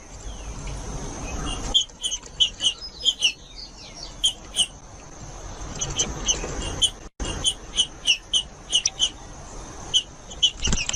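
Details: Green-winged saltator singing, a recording meant to warm up other saltators and train young birds: bursts of short, sharp, high chipping notes in quick succession, two phrases split by a brief break, over a steady background hiss.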